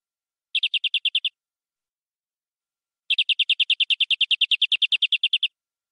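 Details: Local canary of forest origin singing a tutor song: a short rapid trill of eight notes, a two-second pause, then a longer trill of about twenty-four even notes. The background is quiet.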